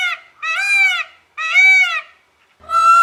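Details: Indian peafowl (Pavo cristatus): a peacock yells, giving three loud, harsh, wailing, rising-falling nasal screams about a second apart, with a brief low rumble under the last.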